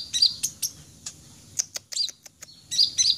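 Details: Sunbird known locally as kolibri ninja dada merah, in full lively song: scattered high, thin, sharp chips and short twittered bursts, separated by brief quiet gaps.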